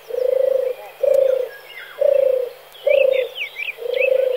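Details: European turtle dove male delivering soft, trilled purring coos, each about half a second long, five spaced evenly, with light distant chirps from other birds.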